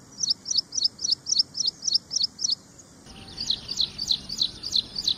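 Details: Ashy prinia delivering rapid, evenly spaced high chirps, about three and a half per second, in two spliced runs, the second slightly lower and fuller; clean background.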